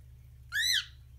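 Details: A female cockatiel perched on a thin picture frame above a bed, frustrated at being kept off a canvas, gives one harsh, rising-then-falling squawk lasting about a third of a second, with a low indoor hum underneath.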